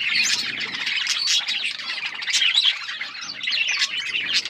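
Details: Budgerigars eating seeds give a constant rapid twitter of high chirps and buzzy warbles, pulsing in loudness with no pauses.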